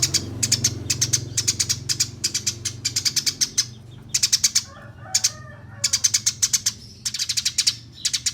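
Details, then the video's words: Eurasian tree sparrow master song for national singing contests, rolling and rapid nyerecet: repeated short bursts of crisp, high chirps separated by brief pauses, one softer, lower fluttering sound midway, and a low hum early on. "Masteran Burung Gereja Tarung Ngeroll Abis Nembak Nyerecet Speed Rapat"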